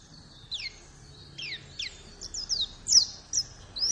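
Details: Sparse white-eye calls used to draw a pet bird into song: scattered thin, steeply falling high chirps every half second or so over a low background hiss.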